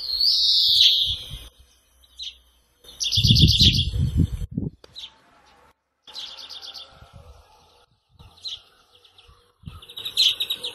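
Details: European greenfinch (Carduelis chloris) singing a drawn-out nasal wheeze, then bursts of quick rattling trills and short chirps repeated every second or two, with a brief low rumble midway.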